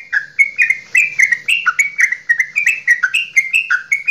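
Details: Goklikan-style singing from a Javanese straw-headed bulbul, intended to stir other bulbuls to sing: a continuous stream of bright, liquid, slurred notes, evenly paced, with faint low murmur behind.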